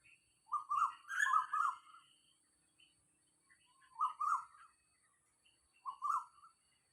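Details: Wild Asian koel beside a house at about 6:40 in the morning, 4 October 2022, giving mid-pitched, doubled rising notes: a run of several at first, then single calls roughly every two seconds, with faint high chirps around them.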